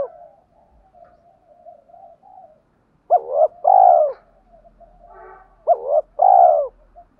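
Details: Spotted dove with a 'hạp bổi' voice, calling and cooing to rouse other doves. Quiet murmuring gives way to two loud phrases, each a clipped upward-hooked note and then a long, full, falling coo.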